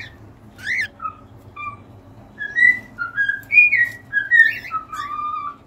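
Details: Whistled cockatiel song begins with a sharp chirp and a few short notes, then builds into a lively run of gliding whistles that ends on a long, level note, with a faint low hum throughout.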